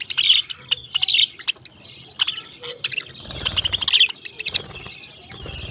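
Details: Parrots chirping: bright high squeaks and quick chattering notes, loud bursts alternating with softer stretches, several birds calling together.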